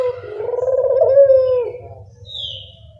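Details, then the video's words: Barbary dove lure sound to draw in birds: a single long, low, vibrating coo that peaks midway and fades, over a steady low hum, with a faint high squeak near the end. "Pancingan burung puter"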